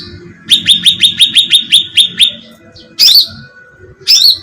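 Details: A bait recording of a sooty-headed bulbul for attracting birds: about ten even, rising chirps in a quick row, followed by two loud squeaky downslurs.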